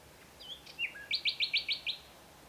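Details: A Common Nightingale sings in Provence in spring, in Mediterranean woodland where hoopoes nest: a few soft, slurred introductory notes, then six loud, rapid, identical chirps at an even pace, high and clear over a quiet background.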